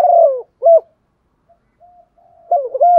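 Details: Female spotted dove giving a call meant to excite males: a drawn-out falling coo and a short clipped note, a quiet pause, then a fresh burst of rapid mellow coos.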